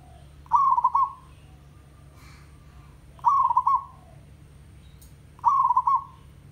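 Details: Tandang-style song of a village zebra dove: three rapid, stuttering cooing phrases, each ending in a fading tail, repeated roughly every two and a half seconds against a quiet low hum.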